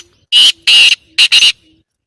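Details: Loud, close black francolin call with four harsh, buzzy, strained notes: two longer rasps, then a quick pair, against a near-silent background.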